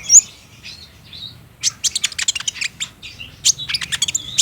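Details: Olive-backed sunbird (kolibri ninja) song played to provoke a captive bird into responding: a few soft high notes, then a dense burst of sharp, high clicks and twitters, ending in thin whistles.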